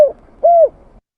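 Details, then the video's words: {'text': 'Spotted dove (tekukur) lure recording with the tail of one coo and a single smooth, arched, hollow coo note about half a second long, followed by silence.'} "Suara tekukur pikat mp3 /suara burung tekukur / เสียงนกเขาใหญ่ / Turtle dove sound effects"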